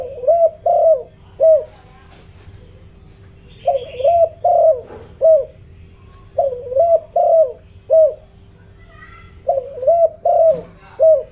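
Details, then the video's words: Giọng đồng style spotted dove decoy cooing to provoke wild birds: steady series of short low coos in bursts of three to four notes, bursts recurring about every two to three seconds, faint background noise. "chim cu gáy mồi, tiếng chim cu gáy kích bổi, tiếng chim cu gáy giọng đồng ,tiếng chim cu gáy hợp bổi"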